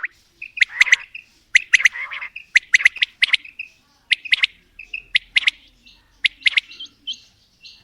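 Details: Quail of both sexes calling in a long sequence. Fast clusters of crisp high notes are linked by short whistled slurs, repeating steadily every second or so over quiet surroundings.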